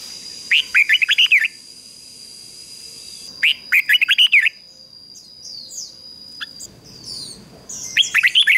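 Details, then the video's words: Lure song of a red-whiskered bulbul for calling wild birds: three bouts of rapid, chattering warbled notes, roughly every three to four seconds. Sharp high chirps from other birds come in between, with a constant thin tone behind. "Chào Mào Mồi Hót Gọi Chim Rừng Kích Chim Hót Hay"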